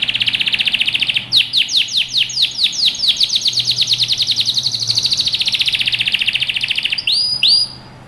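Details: Excited male canary singing to a female to get her to take the mating position: a loud, rapid rolling trill of repeated descending whistled notes, shifting speed and pitch, ending in a few sharp rising notes.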